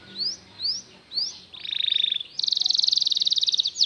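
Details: Canary song played to tutor other canaries into singing: three quick rising whistled sweeps, then a rapid buzzy pulsed trill, switching to a higher, brighter fast-rolling trill that runs to the end, with no other sounds.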